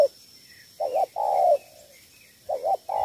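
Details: Three-note 'thổ 3 âm' cooing of a spotted dove from Cà Mau, Vietnam, used to win over wild doves: a wavering double hoot and a long falling coo, repeated twice; low steady hum behind.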